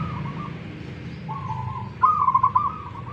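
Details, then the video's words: Local wild zebra doves in Tuban, East Java, singing against each other: steady mid-pitched coos, then a loud, rapidly pulsed and stuttering phrase near the end, over low background rumble. "PERKUTUT LOKAL ALAMM TUBAN JAWA TIMUR.LAGI TARUNG"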